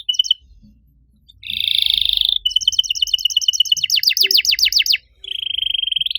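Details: Canary master song meant to trigger other canaries to start singing: buzzy rolling trills, a long chain of rapid ticking notes turning into loud descending slurs, then another sustained buzzy roll.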